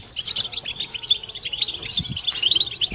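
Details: European goldfinches in a collective twitter, said to rouse females and prompt mating song; sharp, high, sparkling chirps tumble in quick bursts over three seconds, with a couple of faint low taps.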